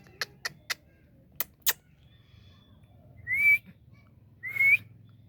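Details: Indian ringneck parrot making a few sharp, clicking chips, then two clear upward-sliding whistles about a second apart, over a low steady hum in a small room.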